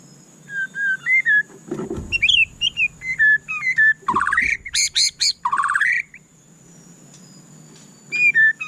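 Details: Murai batu (white-rumped shama) singing a varied run of clear, mid-pitched whistles and rising slurs, then loud, harsh, buzzy bursts, after a brief low thump. The song pauses, then resumes with whistles. A constant thin high whine persists.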